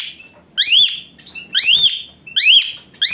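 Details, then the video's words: Asian pied starling singing rich fill and hot bursts, meant as therapy to make a lazy-singing starling sing eagerly: three loud rising-then-falling whistles, each preceded by a brief level whistle. "Full Isian Mewah TEMBAKAN PANAS Khas Jalak Suren UNTUK TERAPI Jalak Suren Malas Bunyi Jadi Rajin"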